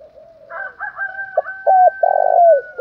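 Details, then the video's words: Spotted dove coo meant to stir up rival males: soft broken cooing notes over a long steady whistled tone, ending in a loud, throaty falling phrase. "tiếng chim cu gáy kích bổi giọng gáy hay mới"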